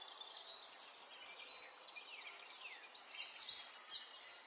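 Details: Spring songbirds in a natural setting: high, thin twittering chirps in two busy bursts, separated by a quieter stretch with faint descending notes.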